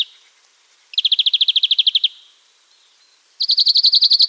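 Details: European greenfinch, free bird, delivering two rapid, evenly spaced trills of many repeated notes, each over a second long, separated by a short pause.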